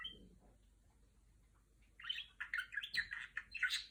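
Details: Female pet budgerigar imitating R2-D2: after quiet room noise, a run of bright chirps and warbled notes begins, repeated quickly at about two and a half per second.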